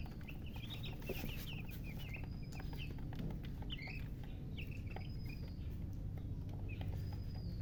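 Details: Freshly hatched chicken chicks chirping in short bursts, clusters of high peeps separated by pauses, with a continuous low hum behind them.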